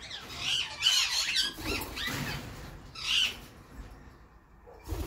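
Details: Marty, a male grey-edged Indian ringneck (rose-ringed parakeet), courting his partner Genevieve in spring, gives harsh, grating squawks in quick bursts, several in the first three seconds and one at the end, in a quiet room.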